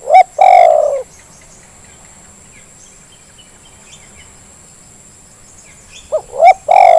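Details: Spotted dove lure call to get lazy birds calling: a short coo and a long rolling coo, a long quiet gap with faint insect chirps, then two short rising coos and another drawn-out coo.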